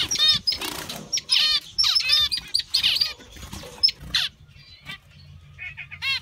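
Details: Several zebra finches in a breeding aviary, active and never still, give a dense run of nasal, trumpet-like harmonic notes and chirps, busiest in the first four seconds, then sparser, with some wing flutters between calls.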